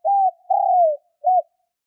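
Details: A spotted dove in the fast kích bổi luring style, meant to draw wild doves: a steady hollow coo, a longer coo easing downward, and a short rounded coo after a brief gap.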